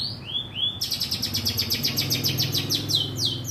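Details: Long-tailed shrike, provoked to sing, opens with a few swept whistles then breaks into a fast buzzy chattering run of repeated notes, ending with more sweeping whistles.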